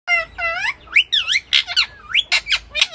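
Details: Pet rose-ringed parakeet talking in Sindhi in a clear voice: a run of harmonic, speech-like syllables with rising and falling tones, then sharp bright squawks and squeaks indoors.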